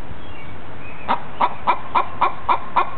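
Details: Domestic hen calling while laying an egg: a run of seven short, even clucks, one roughly every quarter second, over a steady low background hum.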